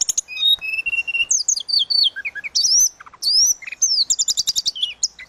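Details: Energetic 'suling gacor' song of the tledekan laut, kept as a tutor recording for birds: steady whistled tones, tumbling slurred notes, arching high whistles and a rapid trill of repeated chips near the end.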